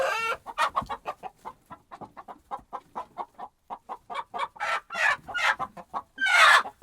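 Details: Flustered henhouse hens reacting to a disturbance: a series of clear, separate clucks, a few sharper and rising, with a loud drawn-out squawk at the close.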